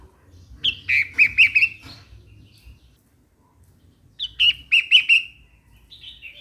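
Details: Bulbul singing in two bubbly phrases, each a high opening note followed by a quick run of chirpy, warbled notes, with a soft, faint call near the end and a low background rumble.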